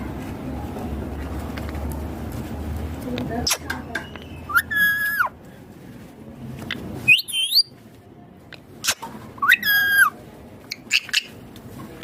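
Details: Pet ringneck green parrot in natural voice giving a few loud, harsh, downward-bending squawks spaced several seconds apart over low room and traffic noise.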